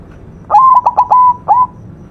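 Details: Single phrase from a white zebra dove's master song: a rising coo, two quick chopped notes, a longer even tone and a closing upturned coo, loud against a hushed background.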